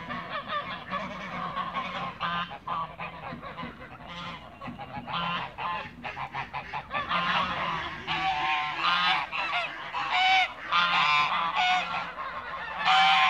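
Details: Toulouse geese gathered in a backyard; a flock gives ragged bursts of harsh, nasal honking, irregular and overlapping, growing louder and more crowded toward the end, with a faint steady low hum beneath.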